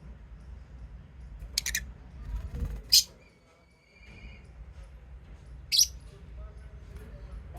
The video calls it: Love birds singing sound and chirping sound